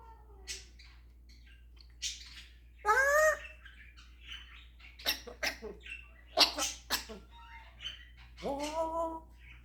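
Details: African grey parrot kept as a pet, showing off imitations of snoring, a dog, a cat and a rooster: several short harmonic calls, a rising whine, sharp clicks and pops, and a sustained nasal tone at the end, in a quiet room.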